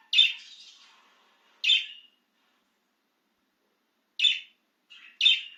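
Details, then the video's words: Out of its cage, an excited budgerigar gives isolated high chirps, one trailing into a short warble, then a long quiet gap before two more sharp chirps close together. "Make Your Budgie Chirp with This Excited Budgie Out of its Cage!"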